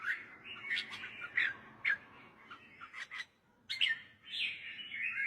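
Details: Softer red-whiskered bulbul song for training young birds: chattering whistled notes over a faint background hiss, with a short pause before a final lively phrase.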